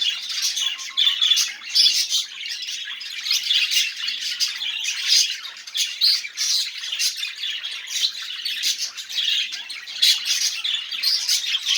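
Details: Continuous budgerigar song used to coax non-singing budgies: busy grating chatter with repeated clicks and short squawks, rising and falling in loudness throughout.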